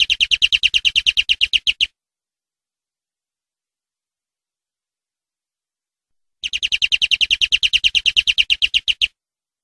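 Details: European greenfinch phrases from a training recording for captive birds: two bursts of harsh, buzzy rapid trilling separated by about four seconds of silence, with a low hum underneath.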